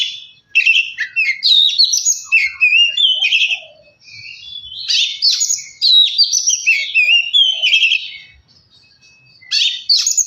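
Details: Song of an Oriental magpie-robin, meant to stir a quiet bird into singing: long bursts of varied whistled and warbled phrases separated by short silences, with quick buzzy notes mixed among clear slurs.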